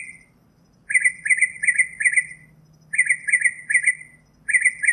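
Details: Northern mockingbird (Mimus polyglottos), song.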